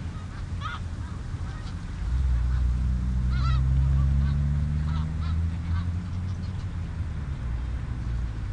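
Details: Snow geese on the Richelieu River give scattered, nasal honks rising and falling in short bursts over a steady low rumble that swells in the middle of the recording.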